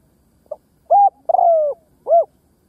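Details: Spotted dove kept as a ground decoy, giving its luring coo. A short faint lead-in note, a steady coo, an extended falling coo, then a rounded final coo. Clear and loud.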